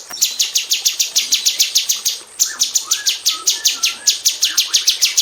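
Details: Caged female cucak cungkok bulbul in an aviary, used as tutor song for magpie robins: steady rapid 'tembakan rapat' high chips, about three per second to faster, over faint lower slurred whistles.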